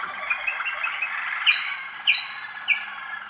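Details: Young Waterslager canaries from 2013 in song: a rolling, gurgling trill with short upward flicks, followed by three sharp upswept whistles, each leveling into a sustained high tone.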